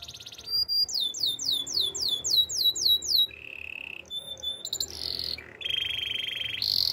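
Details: Belgian canary delivering looping downslurred notes in a fast series, then a level low trill, short high rattles and buzzy rolls, in a powerful song used for training.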